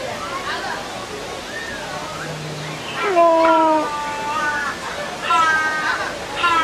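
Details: Hornbills singing back and forth to each other: short bursts of stacked, nasal, slightly wavering honking notes, one bout and then another answering, over a steady rushing water-like background.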